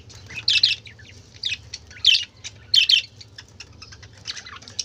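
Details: Colourful birds' racket of budgerigar calls: loud scratchy warbled bursts spaced roughly every second, with softer ticking chirps between them and a low hum beneath.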